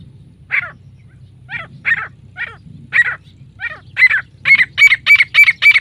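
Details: Female grey francolin calling in a series of harsh notes that start spaced out, then speed up into a fast, even run of about five per second near the end.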